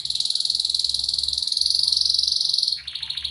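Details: Pleasant canary singing: a long rapid trill, tight buzzy notes repeated many times a second, then a shift to a lower rolling trill at the end; faint low hum beneath.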